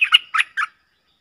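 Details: Streak-eared bulbul from a pair dueling in song, recorded 30 October 2021 as a lure sound: three quick, harsh, slightly squawky notes in under a second, then silence.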